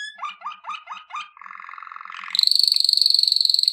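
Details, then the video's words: A Waterslager canary sings a training song: five quick rising notes, about four a second, then a fast rolling trill, ending on a long, bright, pulsing high whistle. "Legendary Waterslager Canary Singing"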